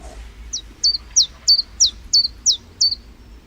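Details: Common chiffchaff song in Urdaibai, Spain, in early May 2021: a steady series of eight high, clipped two-part notes, about three per second, each dropping in pitch, without the Iberian chiffchaff's final chi-chi-chi run; faint low rumble behind.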